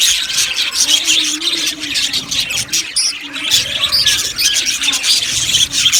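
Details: An aviary of Australian budgies chattering, overlapping high chirps and squawky warbles from many birds, with a sharp louder squeak near the third second.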